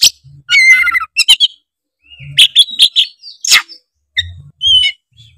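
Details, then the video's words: Oriental magpie-robin (kacer) song played to provoke other birds into singing; a harmonic warbled phrase, quick chips, a scratchy series of notes and a harsh burst, with short whistles toward the end. "pancingan kacer tretes gacor ngeplong bikin kacer lawan auto gacor ngeplong denger suara kacer ini"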